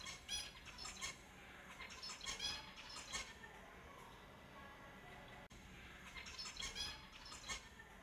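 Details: Finches heard as clustered bursts of sharp, high squeaky chirps coming roughly every second, irregular in rhythm, over a steady hiss.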